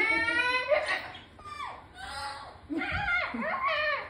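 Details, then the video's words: A cockatoo indoors gives nasal, almost human-sounding whines, several drawn-out cries that slide downward, about three bursts in four seconds. "The whine whine whine"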